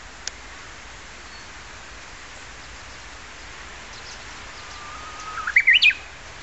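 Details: Japanese bush warbler singing near the south gate of Kairakuen: after a quiet stretch with steady background hiss, one long, low, level whistle swells into a quick, rising, twisting flourish near the end.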